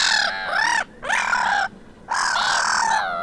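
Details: Beach at Vannes, Brittany, 6 March 2023, black-headed gulls in a quarrel: three loud, harsh, wavering screeches, each about a second long, separated by brief pauses.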